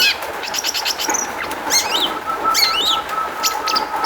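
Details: Long-tailed shrike singing as a lure to set off other shrikes: a chattering, warbled medley of twisting squeaky phrases and scratchy notes with a thin sustained tone beneath.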